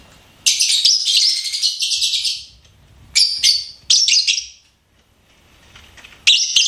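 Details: Pet lovebird singing and chirping: a two-second scratchy chattering phrase, then two shorter harsh bursts, a pause, and a final shrill outburst.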